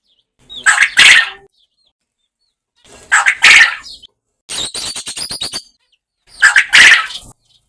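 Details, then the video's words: A farm quail recorded in a natural setting gives harsh, raspy bursts about every three seconds, with a quick run of dry, clicking notes between two of them. "Farmi Batair Ki Awaaz | Natural Quail Sound"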